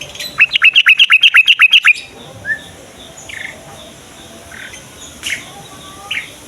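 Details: Morning bulbul song meant to prompt young, lazy or newly caught birds to sing: opens with a loud, rapid series of about twelve liquid, bubbling notes, followed by sparse distant chirps.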